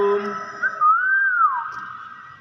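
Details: A talking hill myna that mimics spoken greetings gives a clear, human-like whistle that swells up and falls away over about a second, after a brief, voice-like harmonic opening.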